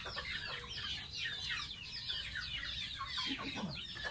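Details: Bathing baby pet goose: quick, shrill peeps that drop in pitch, repeated densely, with a couple of lower sliding notes near the end.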